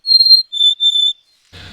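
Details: Mountain Chickadee in the Sierra, California, singing three pure whistled notes: a high one, then two slightly lower ones, somewhat staccato. A brief rustle of noise follows.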